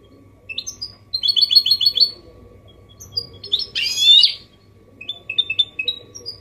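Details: Goldfinch hybrid (mule) giving clean song in the 'copia malaga' style, used to stimulate males to sing and teach chicks; scattered high twittering phrases, a dense trilled burst, then a buzzy rasping note and short chips after.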